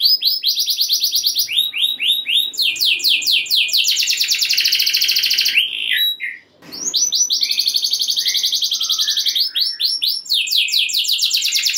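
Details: Canary in energetic rolling song to provoke other canaries into singing: alternating blocks of fast high trills and sweeping notes, with a short break midway before resuming.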